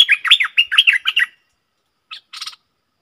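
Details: Bulbul kept as a decoy, calling to wild birds, gives a quick series of about eight liquid, warbled notes in a little over a second, then silence and a brief harsher chatter.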